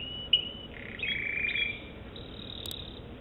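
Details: American Singer canary song of drawn-out rolling tones shifting between lower and higher pitches, with a faint click near the end.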